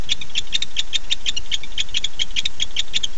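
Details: Male barn owl at night calling for his mate, 9-8-15 at 9:54 pm: short bright ticking notes in a quick irregular series, some in close pairs, over low hum.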